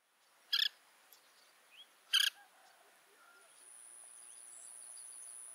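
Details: Oriental pratincole in Pingtung County, Taiwan, recorded 1 June 2023 during the breeding season: two loud rasping bursts about a second and a half apart, with faint thin upslurred notes between them against a high background hiss.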